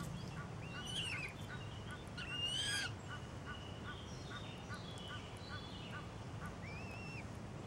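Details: Three larger young Eurasian coots in Nieuwegein, beginning to find food themselves, give thin, high piping whistles, some rising then falling, about once a second over a steady low rumble of wind or traffic.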